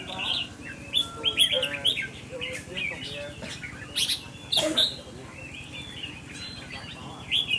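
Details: Red-whiskered bulbul in a temperament test, calling with scattered short whistles and chirps between quieter gaps, some sharp notes, and people talking softly nearby.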